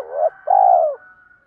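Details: {'caption': 'Spotted dove decoy calling to lure wild birds; a single phrase beginning with the tail of a short note, then a long, steady, pulsing coo, followed by a faint thin hum.'}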